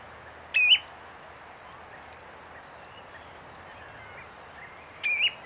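Two soft, rising two-note whistles from a common ringed plover, about four and a half seconds apart, over a faint outdoor hiss.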